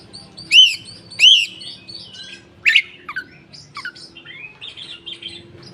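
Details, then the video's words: Koci in a cage giving tail-opening song meant to coax silent koci into singing: two loud arched whistles, then a slurred drop and a softer rambling twitter trailing off. "suara burung koci buka ekor||pancingan koci bahan ombyokan"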